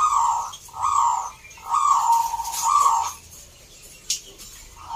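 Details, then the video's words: Zebra dove song at a local competition in Salatiga, Central Java, Indonesia: low, bubbling coo phrases of about a second each, repeated four times in quick succession, with a brief sharp click near the end. "Perkutut gacor door"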